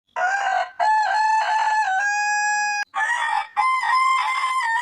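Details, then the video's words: Rooster giving long crows: loud harmonic calls with several choppy opening syllables, then a sustained, steady drawn-out note. One crow follows another with barely a pause. "Suara Ayam Berkokok Panjang Ayam Jantan Berkokok Rooster Crowing"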